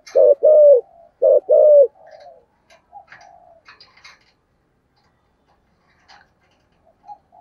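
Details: Decoy spotted dove singing in the prized 'giọng thổ' cooing style: two loud low hooted coo phrases in the first two seconds, then only faint scattered chirps and soft noises.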